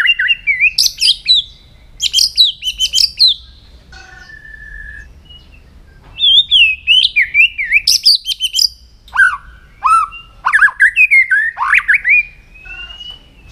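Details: White-rumped shama singing in the morning as voice training: varied phrases of rapid high trills, a few plain whistles, and twisting warbled runs, repeated in bursts with short pauses across the recording.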